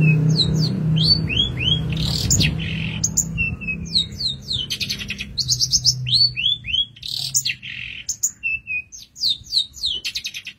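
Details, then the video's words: A long-tailed shrike sings master song for songbird training. Clear whistled notes rise and fall alongside rapid chattering bursts and buzzy trills, over a steady low hum. "Masteran Handal pAsti nempel, tembakan mewah burung Cendet"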